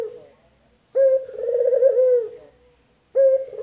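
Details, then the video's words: Cooing male collared dove (puter), local or white variety: a long, wavering, vibrato-like coo that slides down at the end, then a new coo begins. "PERBEDAAN SUARA PUTER LOKAL JANTAN DAN PUTER PUTIH JANTAN"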